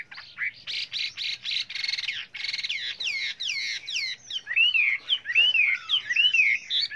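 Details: Chinese hwamei in full varied song, used to train other birds: a series of harsh, buzzy repeated notes followed by loud looping whistled phrases that rise and fall.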